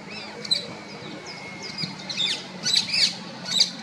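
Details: Female rose-ringed parakeet in a natural setting, giving scattered sharp, high chirps and squawks over a faint steady background tone and low hum.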